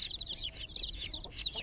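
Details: Chicks in a water pool chirping steadily: piercing high peeps, each sliding downward, crowded into quick overlapping runs with little background sound.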